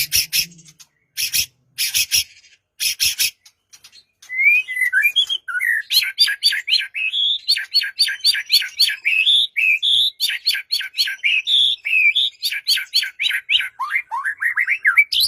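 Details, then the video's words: White-rumped shama song for coaxing a quiet bird into song, morning or afternoon: several short harsh rasps, then a long, lively, varied flow of whistled and warbled phrases ending in rising notes. "Murai Batu Diam Dengar Kicauan ini Seketika Langsung Nyaut GACOR"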